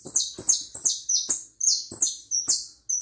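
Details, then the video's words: Hooded siskin singing steadily in high, scratchy twittering phrases, each burst a quick tumble of buzzy downslurred notes, repeated about twice a second with short gaps. "jilguero uruguayo"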